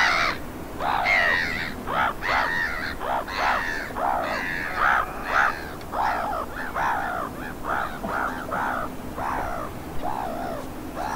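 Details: Water rail calling in autumn from the marshes of Château de Suscinio in the Gulf of Morbihan, 2 November 2021: a long run of some fifteen harsh, pig-like squeals with downward slurs, about two per second, softening toward the end.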